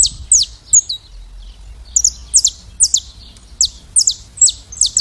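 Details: Saffron finch singing its classic song: a quick series of sharp, high, downslurred notes, about two or three each second, in short bursts separated by brief pauses, with a faint low hum beneath.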